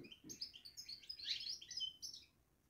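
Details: Caged European goldfinch babbling in a continuous, rapid stream of bright, high twitters and tinkling chirps that builds and then fades out, with soft low taps at the start.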